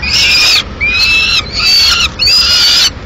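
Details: Peregrine falcon at a Madrid nest at mid-morning with the female bringing pigeon remains; long, drawn-out, wailing, harmonic calls, each near half a second to a second, given about four times.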